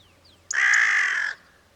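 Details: Single Carrion Crow (Corvus corone) caw from Portugal, a call higher-pitched than the raven's and audible at great distance: one drawn-out, hoarse, level cry lasting under a second against a quiet background.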